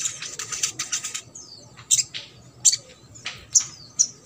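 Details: Crimson sunbird singing trotol style to stimulate silent birds: rapid, high twittering in the first second, followed by single sharp, bright chirps at spaced intervals.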